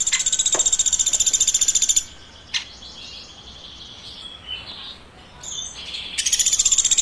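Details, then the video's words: Woodpecker chirping: a high, rapidly pulsed buzzy trill, then a quieter gap with a click and soft squeaks, and the trill starting again. "Woodpecker Chirping"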